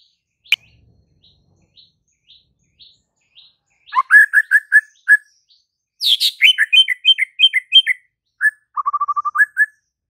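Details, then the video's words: White-rumped shama: soft evenly spaced high notes at first, then bursts of loud whistles, a complex run of varied whistled phrases, and a closing rapid low trill with a final whistle. "MURAI BATU BISU SEKETIKA NYAUT DAN GACOR"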